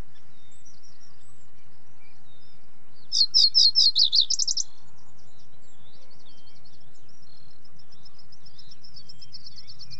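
A common reed bunting gives a short, high, jingling phrase of about eight quick chirps lasting under two seconds, with faint distant bird calls and low background rumble.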